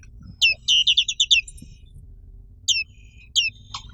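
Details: Black-capped white-eye, endemic to Indonesia, delivering a quick burst of about seven high, evenly spaced chirps, followed by separate thin descending notes after a pause, with low hum in the background.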